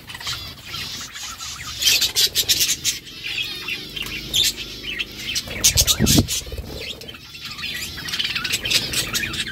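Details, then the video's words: Pet budgerigars eating food: bursts of busy, high chirps and chatter, with a few sharp clicks and thumps in between. "budgies eating food budgies chirping sounds"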